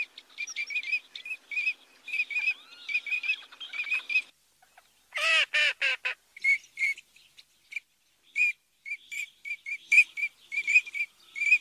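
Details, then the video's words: Eurasian teal giving short, high, ringing whistled 'krik' notes in quick irregular runs, with a louder, harsher nasal burst midway. "Il canto dell'Alzavola!"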